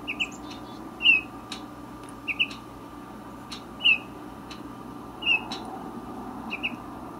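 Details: A resident male Baltimore oriole sings on a windy day, giving short, clear whistled notes singly or in pairs about every second, over steady wind rumble with occasional sharp knocks.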